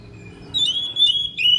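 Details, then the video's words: Thick-billed kacer delivering sharp, insistent song with filler phrases: a long, high, level whistle held about a second, broken by a short flick, followed by a fresh whistled note. "KACER PARUH TEBAL SUARA PERIH NGOTOT BONGKAR ISIAN"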